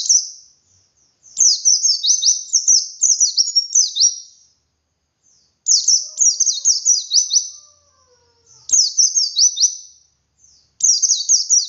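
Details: Wild-style 'ngalas' pleci (white-eye) song, 'wit wit' variation, used as a singing lure; four bursts of rapid, high-pitched descending twitters with quiet gaps and a faint low whine in the middle.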